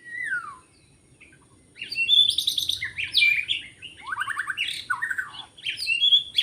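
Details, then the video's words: Forest white-rumped shama recorded while trapping birds: a single falling whistle, a pause, then a lively stream of varied whistles and fast, buzzy descending trills. "Rekaman suara asli murai batu hutan ketika sedang mikat"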